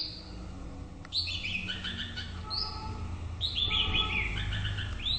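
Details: White-rumped shama singing in the morning: clear whistled phrases, some rising and falling, in bursts around a second apart over a low background rumble.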